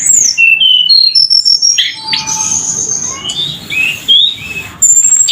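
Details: Tledekan in full song: a series of pure whistled notes, some sliding down and others held steady, delivered in a fast irregular sequence, with a soft rasping stretch in the middle.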